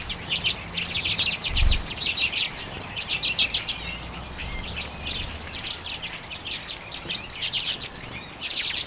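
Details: Several common redpolls eating sunflower seeds in late January 2022 keep up a dry, twittering chatter of quick high chet notes in uneven bursts, with a soft low thump early on.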